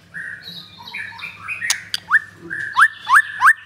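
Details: White-rumped shama of the Blorok line, kept in Jakarta, sings a wavering warbled phrase followed by four emphatic upward-swooping whistles roughly three per second, with a low hum underneath.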